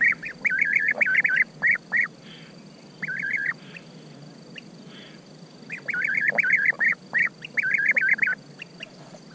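European Bee-eaters trading rolling, liquid 'prruip' notes in quick bursts of three to six, with brief pauses between runs; a steady faint hiss underneath.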